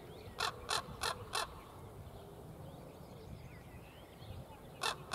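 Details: A common raven in the Tegeler Fließ, June 2017, gives four short, harsh, clipped calls in quick succession, then two more after a pause, over a low rumble with background music.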